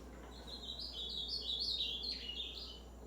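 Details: Ultramarine grosbeak, a caged bird in its first time in a tournament cage, sings a rapid warbled phrase of slurred whistled notes stepping up and down, continuous for about three seconds over a steady low hum.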